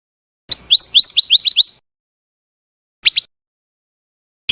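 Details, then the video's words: Female scarlet minivet coming in, giving a rapid series of about seven upward-slurred whistled notes, then a short pair of similar notes after a pause, and a final note starting at the end. "suara burung bara api bertina 100% datang"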